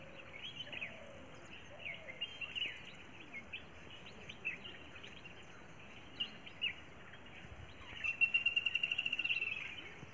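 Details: Birds in the morning at a hill-station tea plantation with terrace farming: scattered faint, thin chirps against a steady hiss, then a loud, rapid trill of repeated notes for about a second and a half near the end.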